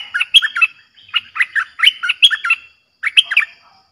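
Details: Fierce Streak-eared bulbul song played to lure wild birds: clean, loud phrases of rapid, liquid chattering notes, a brief pause, then another bubbling run.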